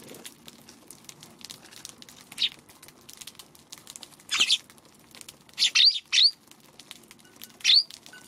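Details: Eurasian tree sparrows on a March 16 afternoon, wary of a Godzilla figure placed beside their feeding spot and hesitant to approach. Short high chirps come singly and in pairs, with bursts of wing flapping and soft pattering throughout.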